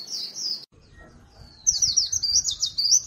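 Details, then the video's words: Lure call of a white-eye, a brief high twitter, a pause with faint low background rumble, then a fresh run of fast, bright, slurred chirps. "Tiếng chim vành khuyên mồi"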